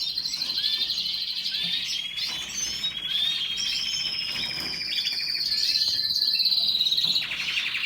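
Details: Canary song with chattering trills and quick notes, then a long sustained high rolling tour before a final burst of rapid chirps.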